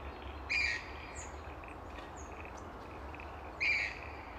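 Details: A wild Latham's snipe at Jerrabomberra Wetlands gives two harsh, rasping calls about three seconds apart, each short and grating, with faint high chirps from other birds between them over a steady rural hiss.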